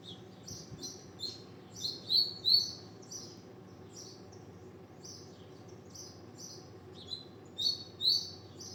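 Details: Double-collared seedeater singing: thin, high, buzzy notes in quick runs, with a few louder sweeping phrases in the middle and near the end, over a steady low background hum.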